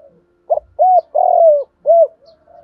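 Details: Spotted dove decoy calling to provoke wild doves, one phrase of a short soft note, an arched coo, a long rolling downward purr and a final hollow arched coo.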